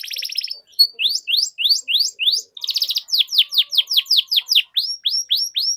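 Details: Canary song used as a lure to teach young canaries their sounds: a fast trill, then a steady series of rising whistled sweeps about five per second, a buzzy roll, and falling high notes.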